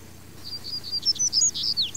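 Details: Female double-collared seedeater (Sporophila caerulescens) calling: a quick run of high, thin chirps and short whistled notes, several sharply downslurred, running almost unbroken for two seconds over a faint low hum.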